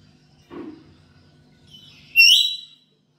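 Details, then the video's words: Black-capped lory kept at home, calling as a lure for other birds: a soft low note, then one loud harsh rising screech lasting about half a second. "Pancingan Burung Nuri Kepala Hitam di rumah"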